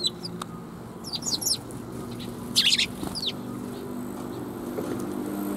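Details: Several sparrows greeting a passer-by on the way out, recorded 16 April 2021: short bright chirps in two quick clusters, then a few scattered notes over a low steady background hum.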